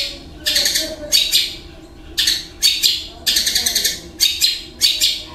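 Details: Caged long-tailed shrike singing a mimicry medley of kingfisher, fighting sparrow, kuntilanak and lovebird sounds; short harsh chattering bursts of about half a second, repeated in loose groups with brief pauses between.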